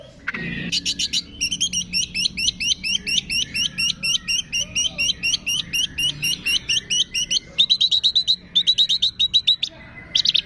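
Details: Long-tailed shrike singing a training song packed with copied calls of cililin, fighting sparrow, lovebird, tengkek and kapas tembak: quick series of thin, looping high whistles in rhythmic bursts, broken by short pauses and sharp rattles.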